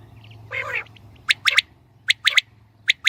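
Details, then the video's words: Female quail sounds used for shikar: a brief harsh burst, then clusters of two or three piercing high clicks spaced under a second apart, over a steady low hum. "Batair Ki saf Awaz | Saaf Awazay Batair Ki shikar ki liye| Batair Ki Awaz| FEMALE QUAIL SOUNDS 2020|"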